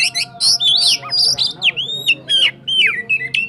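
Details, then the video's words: White-rumped shama of the cakrawala type from Sukabumi singing a fast, varied song of sharp whistles, downward-sweeping notes and chattering bursts, high-pitched and loud throughout, with a steady low hum beneath. "Burung kacer cakrawala Sukabumi... Suaranya roll tembak.."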